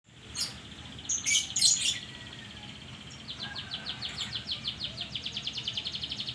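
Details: Canary sound used as a lure to get a reluctant canary singing: a few bright chirps, then a fast regular trill of high buzzy notes repeated several times a second, lasting several seconds.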